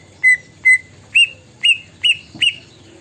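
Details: Orange-spotted bulbul imitating a plaintive cuckoo: six short clear whistled notes, the first two lower and the next four higher and slightly rising, spaced about half a second apart.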